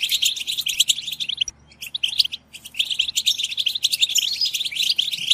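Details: {'caption': 'Collective goldfinch babbling for stimulating song: a flurry of high twitters and tinkling notes, a sudden short gap of near silence, then the overlapping chatter resumes even busier.'}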